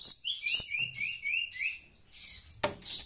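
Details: Talkative shrike in Indonesia answering sounds from a phone, giving a quick series of short rising whistled and scratchy notes, about two per second, followed by one sharp harsh burst and softer chatter.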